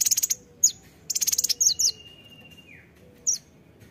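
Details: Kolibri ninja singing vigorously: rapid buzzy trills of high notes, several sharp single chirps, and a thin descending whistle.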